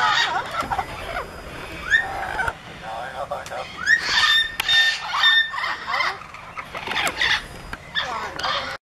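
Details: Amazon parrots worked up by a visiting parrot in a travel cage: a noisy mix of grating squawks, sharply rising whistled notes and a few steady held tones, bursts coming and going over nine seconds.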